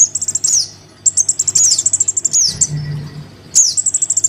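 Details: Lure recording of a crimson sunbird chick calling its parent: long runs of quick, evenly pulsed, very high chips mixed with sharp falling squeaks, pausing briefly before resuming, with a low hum underneath.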